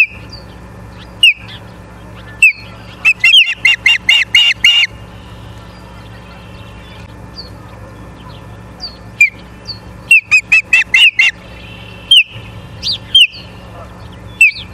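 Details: Ospreys at a nest in Charlo, Montana, on 14 September 2023 in the evening, filmed by a live nest camera: single high chirps, then rapid bursts of shrill whistled cheeps, over a steady electrical hum.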